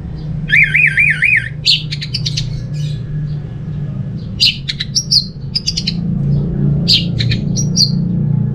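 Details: Orange-headed thrush (anis merah) singing, a recording used to prompt other thrushes to sing: a rapid wavering trill, then jumbled bursts of high chirps and short warbled phrases over a low steady hum.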